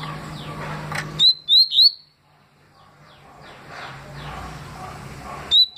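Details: Double-collared seedeater, tui-style song, 2020: three loud, sharp, upslurred whistled notes in quick succession, a pause with soft background noise and faint distant notes, then one more clear rising whistle at the end.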